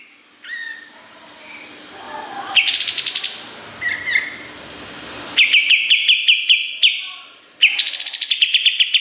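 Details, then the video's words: Kapas tembak singing on a master recording for training competition songbirds, in a busy, sharp-filled style. Separate phrases, then bursts of rapid, sharp, high chirps at about three notes a second, with short slurred whistles between. "Masteran Kapas Tembak Gacor Nembak Isian Tajam Full"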